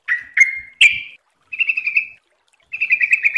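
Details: Trucuk, or yellow-vented bulbul, giving three sharp slurred chirps, then two level buzzy warbling runs separated by silence. A training recording of energetic ropel-style song.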